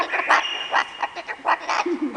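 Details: Gang of rescued parrots at a refuge in British Columbia, Canada, teasing touring visitors by copying speech; loud, raspy, broadband squawks in short bursts roughly every quarter to half second, with a faint steady whistle behind.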